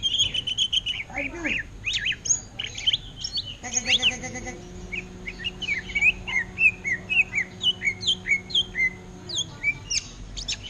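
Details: Greater green leafbird, caged and for sale, singing in orange-headed thrush style: varied chirps and a buzzy flourish, then a steady run of bright, downward-slurred whistled notes repeated about twice a second.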